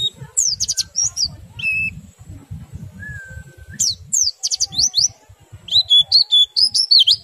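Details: Oriental white-eye song in the ngerol nembak and ngriwik styles, played to stimulate other white-eyes to sing: bursts of high, rapid twittering chirps and downslurred squeaks, broken by a few long thin whistled tones, with soft low thumping underneath.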